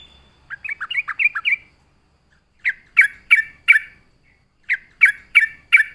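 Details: Yellow-vented Bulbul in full voice, a lure song used to attract birds. A fast bubbly trill of six notes, a pause, then separate sharp chirps, four and then four again, about three per second.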